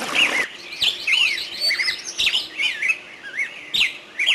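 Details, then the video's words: Birdsong in a forest: a lively mix of high whistled notes, slurred up and down, with quick chirps, given without pause through the whole stretch. "Пение птиц в лесу"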